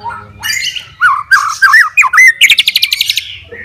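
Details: Fighter-type white-rumped shama challenging rivals with its song: wavering whistled notes sliding between mid and high pitch, then a rapid string of bright repeated chips near the end.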